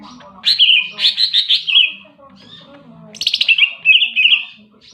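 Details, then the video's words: Greater green leafbird in full voice, giving two bursts of quick, stuttering whistled notes that tumble downward into warbled trills, separated by a short lull. "burung cicak ijo super gacor"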